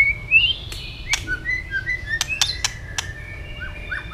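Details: Tail-flicking white-rumped shama giving fighting song, with short whistled notes rising and falling mixed with a run of loud, snapping clicks spaced a few tenths of a second apart.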